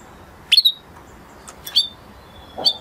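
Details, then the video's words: Male canary in song gives three short, bright chirps about a second apart, high-pitched with a slight metallic ring, against a faint background hiss. "Beautiful canary song اواز زيباي قناري نر مست"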